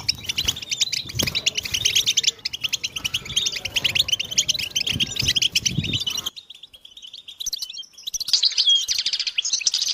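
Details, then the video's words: Collective goldfinch chattering meant to excite males into singing: fast overlapping twittered notes and trills for six seconds, a sudden cut to near silence with a thin whistle, then the dense chirping resumes. "بتبتة الحسون تحفيز الحسون على التغريد والهيجان علاج صمت الحسون goldfinch stimulation"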